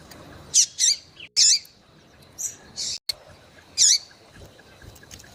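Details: Female yellow-bellied seedeater calling to excite males: sharp, high, buzzy chirps given singly or in quick pairs at irregular intervals, with faint thin whistles of other birds in the background.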